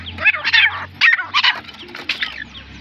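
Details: Teetar, or partridge, gives a short burst of three or four rough, rasping calls in quick succession over a faint steady background hum.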